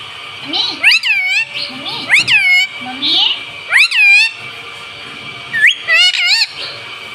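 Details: Talking parrot kept as a pet, saying "mummy" and "mitthu"; grouped, rapid harmonic syllables that rise and fall, in four bunches across the stretch, with a steady whine in the background.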